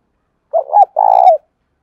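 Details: Spotted dove cooing to lure and provoke doves: a short wavering double note followed by one long, steady hollow coo that drops away at the end.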